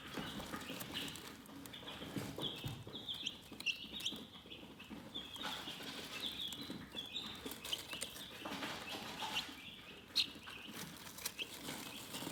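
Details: Chickens chirping in a relaxed setting: intermittent high peeps mixed with steady rustling, shuffling and a sharp tap near the end.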